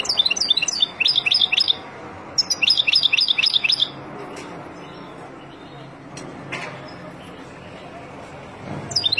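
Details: Wild European goldfinch singing, used for teaching young birds: two bursts of rapid, high tinkling twitters, each about a second and a half long, separated by a short pause, followed by a few scattered clicks over quiet background hiss.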